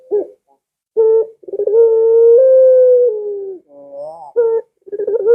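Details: Barbary dove cooing, a sound meant to lure pet doves at home into calling: a short stuttering note, a rolling lead-in, then a long steady low coo of about two seconds, followed by a rising trill and more rolling notes.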